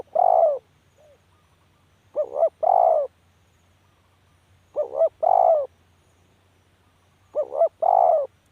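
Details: Spotted dove cooing: a lone falling coo, then three full phrases spaced about two and a half seconds apart, each a brief two-note lead-in and a long mellow downward coo.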